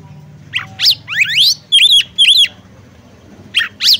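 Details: Female oriental magpie-robin summoning a male to sing, with rising slurred notes, a rapid buzzy upward series, two paired arched whistles, a pause, then two more sharp upward notes.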